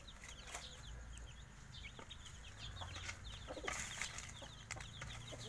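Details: Five-day-old chicks of the Javanese village chicken peeping in a cluster, thin falling cheeps in runs, mixed with sharp knocks and scratching clicks and a low background rumble.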